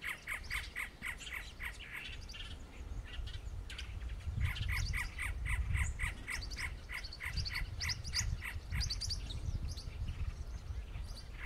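Great antshrike giving two runs of hollow, evenly repeated notes, about three to four per second, over a low background rumble.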